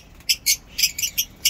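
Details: Fischer's lovebirds, one lacking its black marking, in a home aviary mini zoo, give sharp, high, harsh shrieks in quick bursts, about six in under two seconds, sounding angry as if wanting to be let out.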